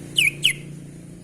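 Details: Sooty-headed bulbul in full voice making unusual sounds: a pair of bright, clear notes, each dropping quickly in pitch, about a quarter second apart, over a faint low hum.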